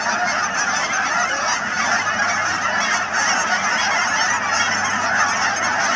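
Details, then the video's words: Thousands of wild Canada geese gathered at a British Columbia wetland near Chilliwack, their harsh honks overlapping nonstop with a faint low hum underneath. "Canada Geese at Cheam Wetlands"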